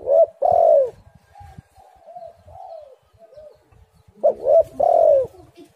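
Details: Spotted dove, tekukur or derkuku, used as a lure call to get doves singing: loud paired coos open and close the stretch, a short note then a long falling one, with softer quieter coos between them.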